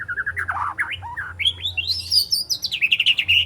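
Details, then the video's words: A three-month-old spotted white-rumped shama rehearsing besetan and sharp tembakan material, delivering a continuous rapid jumble of looping whistled notes that climb from mid pitch to high, thin slurs. "Murai Batu Trotol Jahat Usia 3 Bulan Belajar Bongkar Isian Besetan & Tembakan Tajam"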